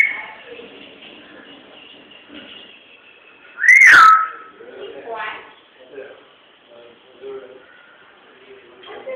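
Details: Talking pet parrot whistling: one loud, sharp whistle that rises then sweeps down, amid murmured speech-like sounds and quiet room background.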